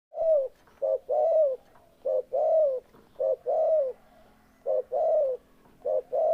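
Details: Spotted dove cooing in clear, close phrases: low, hollow coos in a steady repeating pattern of short notes and longer drawn-out notes, about once a second, with a faint background hum.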